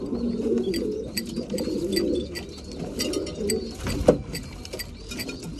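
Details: Quieter cooing from breeding pigeons at mealtime, a low rumbling chorus with thin chirps, taps and one sharp knock near the end.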